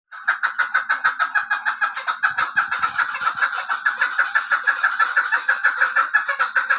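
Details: Female chukar kept for hunting, giving a long unbroken series of hoarse clucking notes, about three per second, steady and slightly uneven in rhythm throughout.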